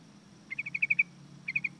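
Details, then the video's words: Yellow-vented bulbul call, known locally as pirok, pago or parago: a quick run of seven bubbly, chirping notes, then a shorter burst of three, quiet against steady background hum. "YELLOW VENTED BULBUL SOUND | pirok pirok o pago o parago"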